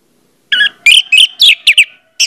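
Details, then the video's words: Orange-headed thrush singing as a prompt to make other orange-headed thrushes start singing fast. A rapid burst of about six varied whistled and slurred notes within two seconds, bright and sharp, against a silent background. "pancingan anis merah bikin anis merah lain cepat ngeplong"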